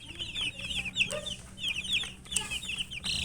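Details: Chirping chicken chicks during feeding: quick bursts of shrill descending peeps from several birds, interrupted by brief pecking clicks.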